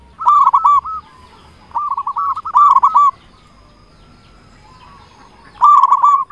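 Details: Active local zebra dove with a big voice, kept as a lure for other zebra doves; short phrases of rapid, resonant cooing notes, several in quick succession, then a few seconds of quiet before another phrase.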